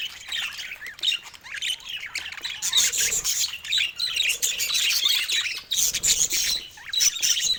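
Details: First calls of a budgerigar chick, heard as a steady stream of bright, scratchy chirps and short squawks, overlapping and busy throughout.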